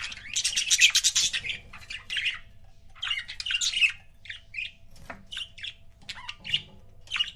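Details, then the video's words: Budgie couples kept as pets chatter in fast, scratchy warbling bursts, followed by a run of sharp separate chirps; faint room hum in the background. "CUTE BUDGIE COUPLES"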